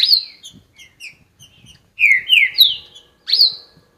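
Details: Green-winged saltator song opens with a few soft, short notes, then a strong run of downslurred whistles and a final rising-then-falling note.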